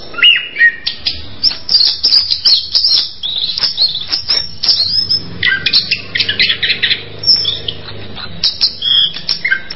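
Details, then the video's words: Orange-headed thrush song in varied bursts of high chirps and whistled trills, separated by short gaps, over a faint low background hum. "SUARA ANIS KEMBANG"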